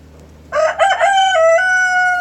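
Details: Rooster crowing in the morning: a loud, clear cock-a-doodle-doo that starts with rough broken syllables and ends in a long, steady, ringing tone held for about a second.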